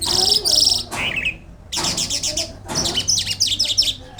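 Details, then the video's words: Pakistani Jal lark singing vigorously. Dense, very high chattering bursts are broken by short pauses, and one brief trill is lower-pitched. A steady faint low hum runs underneath. "Burung Branjangan Irani Jal Lark pakistan gacor"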